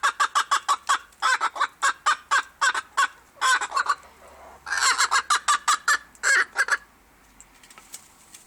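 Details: A silver Appenzeller hen, or chicken of that breed, giving fast repeated clucks and longer harsh squawks in loud bursts, then falling quiet.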